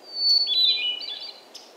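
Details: In May in North America, a Hermit Thrush sings one phrase: a clear, high whistled note, then a fluty, descending flourish of quick notes, over a faint low background hum.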